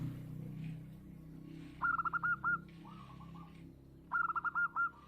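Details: Local zebra dove, a bird kept by hobbyists and described as singing often with a big voice, gives two bright phrases of rapid, stuttering cooing notes ending in a longer held note, with a softer lower phrase between, over low background hum.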